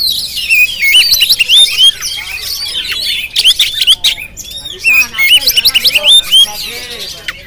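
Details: Oriental magpie-robin, Jampang type, filmed by GoPro, delivering loud whistled phrases and rapid chattering runs, with a quieter stretch midway before the loud bursts of song return.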